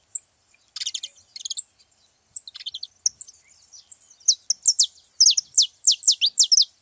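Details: Birds feeding together: soft twittering chips at first, then saffron finch song builds into loud, high, falling notes delivered in quick bursts.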